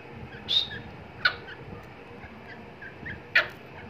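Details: Francolin (teetar) chicks at feeding time give three brief, high, thin chirps spaced irregularly over a few seconds against a soft background hiss.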